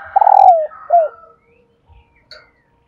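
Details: Calling female spotted dove, used to make males coo: a long vibrating coo dropping in pitch, then one short falling coo, followed by quiet faint notes.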